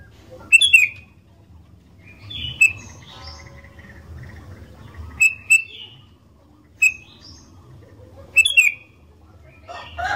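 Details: Sooty-headed bulbul singing vigorously as a lure for other bulbuls: repeated bright ringing chirps with short slurred tails, spaced over ten seconds, with quieter warbled phrases in between.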